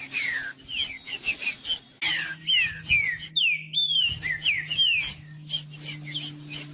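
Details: Song of a green-winged saltator for warming up a bird that will not sing: phrases of falling whistled slurs, one long clear whistle in the middle, high chirps and a low steady hum around them.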